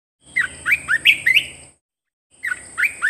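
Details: Song of a caged bulbul for training other caged birds: a quick run of five or six bright, upward-slurred whistles, then a pause and a second shorter burst, with a thin constant hiss overhead.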